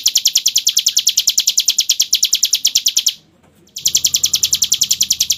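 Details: Hill prinia singing in the 'ngebren' style with a crystal-like voice: a rapid train of piercing high chirps, roughly three each second, pausing for about half a second after three seconds, then resuming at the same pace.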